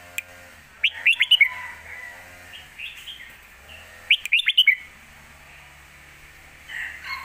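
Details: Caged red-whiskered bulbul delivering a fierce 'lak wai' style complete master song for young birds to learn. It gives two clusters of quick, bubbly whistled notes a few seconds apart, then softer chirps.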